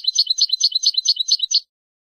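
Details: Tutoring song of a European goldfinch, used to teach young birds: a fast, liquid chattering twitter, its notes returning roughly five times a second for about a second and a half, then silence.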